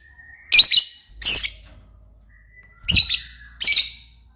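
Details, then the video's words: Lovebird giving four loud, rasping, high chirps in two pairs, over a faint low hum and a thin steady whistle-like tone. "burung Lovebird paling keren dan gacor"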